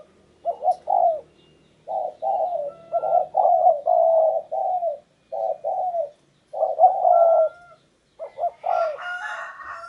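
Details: Decoy spotted dove luring wild doves: low, soft cooing phrases broken by short pauses, several notes running together into rolling groups, with a thin whistle-like tone and scattered chirps from other birds near the end.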